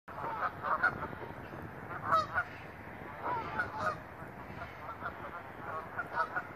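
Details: Geese calling in a nature preserve in early spring 2017 during fine weather; scattered nasal honks rise and fall from several birds, some overlapping, over a steady low background rumble.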